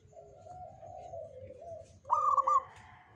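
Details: Local Jogoboyo-type Zebra dove, kept for bringing good fortune: soft, low, drawn-out cooing from a background dove, then one loud, trilled, bubbling coo phrase near the end.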